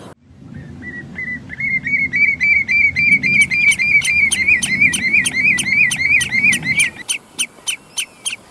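A common redshank gives a fast, steady series of ringing, piping notes against a low wind rumble.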